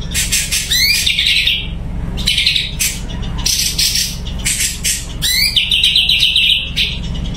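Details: Sumatran leafbird (cucak cungko) singing energetically: a rising sweep leading into a fast bright trill, a mid-clip run of chattering bursts, then a long rapid trill, over a faint hum.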